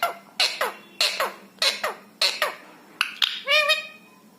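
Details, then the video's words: Rescued pet rose-ringed parakeet, a ringneck kept in India, talking: a run of sharp, harsh syllables with falling tails, about eight in a row, ending in a longer nasal, harmonic, rising note. "बोलने वाला तोता। Parrot Talking"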